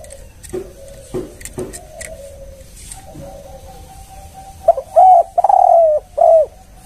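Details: A spotted dove used as a lure call, of the three-"kuk" type, gives soft, hollow coos that build to three louder, slightly rising-then-falling notes at the end, with a few faint knocks early on.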